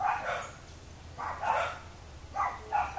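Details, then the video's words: Boat-billed flycatcher at Miraflores, Barinitas, Barinas, Venezuela: rough nasal calls come in quick clusters, a burst at the start, a longer grating note mid-way, then two clipped notes near the end, with faint hiss throughout. "Atrapamoscas Picón - Megarynchus pitangua"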